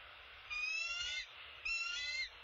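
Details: Bald eagle at the nest while the male seemingly brings an opossum: two shrill, high, quavering squeals, each lasting under a second, separated by a brief pause, over a quiet low hum.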